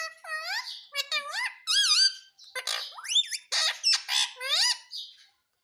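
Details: Talking parrot kept as a pet, said to say "mummy", produces a continuous string of loud, high, nasal syllables, many with rising or dipping pitch, in quick uneven succession for about five seconds.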